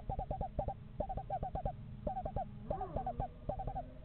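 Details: Screech owls, a pair house shopping in a backyard in November: soft, low, rapid trills of tremulous hooting notes in short bursts, with a steady background hum.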